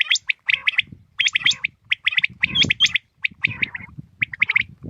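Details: Morning calls of common quail, a dense run of short, sharp notes grouped in rapid clusters with brief pauses between, over faint low rumbling.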